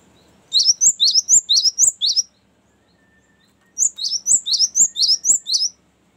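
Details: Cinereous tit delivering its long rolling 'ngerol' song, used for luring and as a master song for training: two bursts of rapid, high, sharp repeated whistled notes separated by about a second and a half of silence.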